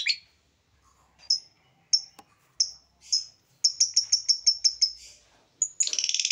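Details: Masteran songbird recording in full tembakan istimewa style: separate sharp high chirps roughly every half second, then a quick rhythmic series of about eight bright notes, ending in a dense buzzy rattle.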